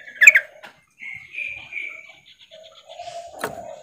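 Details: Calling to the male, a female sooty-headed bulbul gives a sharp double note, then a drawn-out high whistle that breaks into short beads, ending in low level whistles and a sudden burst.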